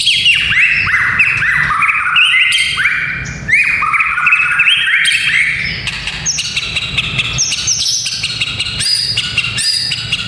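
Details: Rich, fast White-rumped shama song meant to train young fighting males, a tumbling run of varied whistles and slurred notes, sweeping down and up without pause.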